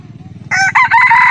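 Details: Red junglefowl crow, recorded on 28 June 2020: after low rumbling background, a loud, harsh, drawn-out crow starts abruptly, breaks briefly, then continues strongly to the end.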